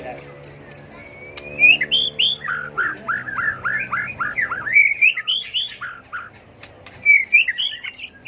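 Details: Competitive fighting song of a tail-flicking white-rumped shama, used to rouse and train birds; high thin notes lead into a fast string of repeated looping whistles, then sweeter rising phrases.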